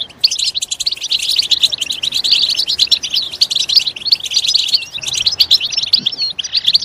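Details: Loud European goldfinch song for prompting other birds to sing, an energetic stream of sparkling twitters and rapid trills with scattered sharp high notes, almost without pause.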